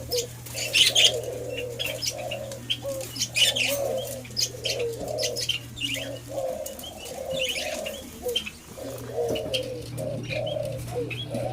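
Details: Low muffled cooing from a white-eared brown dove (alimukon) being tamed, notes delivered in steady groups with short gaps, among high chirping of other birds and a constant hum.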